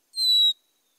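A single pure, steady whistled note from a Black-capped Chickadee, high and clear, lasting under half a second, then silence.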